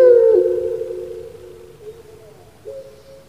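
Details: Captive Barbary dove from Java, Indonesia, whose voice is likened to a person crying: one long, low, steady drawn-out coo that slowly fades, ending with a faint short rise.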